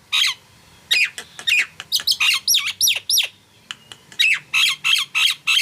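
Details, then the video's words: Busy song from a Nias hill myna, mixing piercing whistles with rasping squawks and bent, looping notes, delivered in fast bursts separated by short gaps. "JALAK NIAS GACOR"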